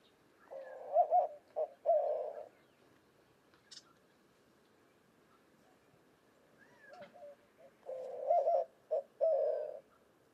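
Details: White-winged dove cooing: two low, hooting phrases about six seconds apart. Each has a doubled opening coo, a short clipped note, then a long drawn-out final coo, with a faint higher whistle in the background.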